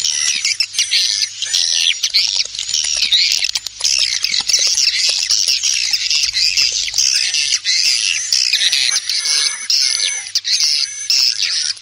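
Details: Swiftlet calling sound with wing flapping, used to lure swiftlets: a dense, unbroken chorus of high chattering twitters and a faint steady high tone throughout.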